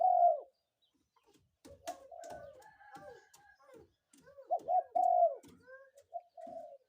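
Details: Spotted dove cooing in the morning: a loud drawn-out coo opens, then quieter human voices, then a two-note stutter leading into a longer falling coo near the end.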